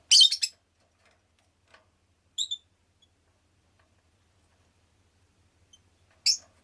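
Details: Pet rosy-faced lovebird giving a dense burst of shrill chirps at the start, a softer double note midway, and one sharp chirp at the end, otherwise quiet.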